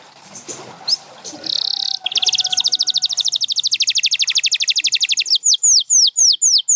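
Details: Canary song opening with soft scattered notes, then a long rapid high trill that broadens, ending with loud downward-sweeping whistled notes.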